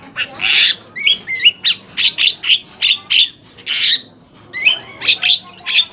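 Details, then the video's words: Long-tailed shrike song lure to prompt other shrikes to answer angrily: repeated harsh rasping notes about twice a second, with a few wavering whistled phrases in between. "PANCINGAN AMPUH BURUNG CENDET AGAR CEPAT GACOR - cendet manapun langsung nyaut dan emosi"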